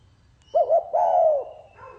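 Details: Spotted dove song in the 'pha kim' style: one phrase of two short rounded coos followed by a drawn-out descending coo, then a faint trailing note.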